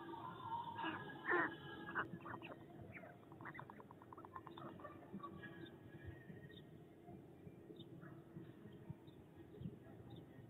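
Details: A white stork, filmed by a nest webcam in Tudela as it leans out to clatter, clatters its bill in a quick run of dry, wooden knocks lasting a couple of seconds, over a steady low hum.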